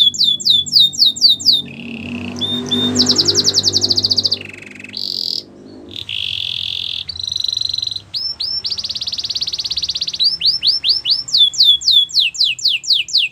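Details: Belgian canary singing a training song for young canaries: varied phrases of rapid down-slurred whistles, buzzy trills and sustained rattling tours, switching pitch every second or two, with faint low hum beneath.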